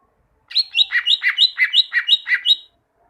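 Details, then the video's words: Song of a caged greater green leafbird used to train other birds to sing; a steady two-second phrase of about ten linked notes swinging between high and lower whistles at an even pace. "Masteran cucak ijo, masteran burung cucak ijo agar cucak ijo rajin bunyi"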